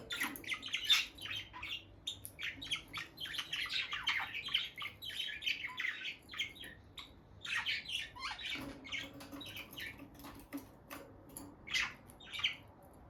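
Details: Peach-faced lovebird couple, a bonded pair staying close by the nest box indoors, chattering almost nonstop: rapid, harsh high chirps tumbling in irregular runs for over twelve seconds, with brief pauses and soft rustling.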